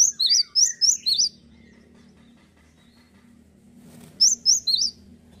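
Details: Four bright, high see-saw whistled notes from a singing male cinereous tit, a long quiet gap with low background hum, then three more of the same sharp two-part notes.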